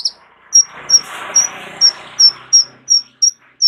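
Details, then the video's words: Kolibri ninja sunbird, kept as a tutor for other songbirds, repeating a single high, pure, slightly falling note about every 0.35 seconds over a soft background hiss. "KOLIBRI NINJA MEWAH ISIAN LENGKAP COCOK JADI GURU VOKAL UNTUK BURUNG JAGOAN KALIAN"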